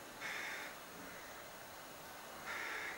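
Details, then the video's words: Two harsh, nasal begging calls from a young crow in a cherry tree near a window, about two seconds apart with quiet in between. "Begging Crow"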